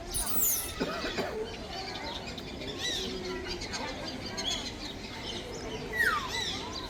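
A grey parrot gives a varied run of whistles, sharp rising and falling notes with chattering, speech-like sounds, ending in a clear descending whistle.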